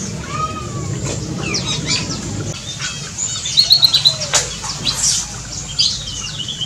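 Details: Black-and-crimson Oriole in an aviary giving short whistled and sharp chirping notes, with a brief rapid trill midway; some flapping and background rustle.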